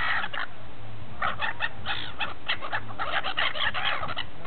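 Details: Gulls feasting at Repino near St. Petersburg, a flock calling in rapid overlapping bursts of short, harsh, nasal notes, many per second, over a steady low background rumble.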